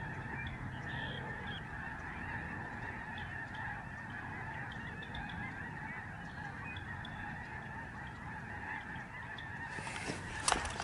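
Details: Snow geese of the lesser form passing overhead in their thousands at the George C. Reifel sanctuary, Canada, November 2011. A steady mass of honks fills the air, ending with a short burst of clattering noise.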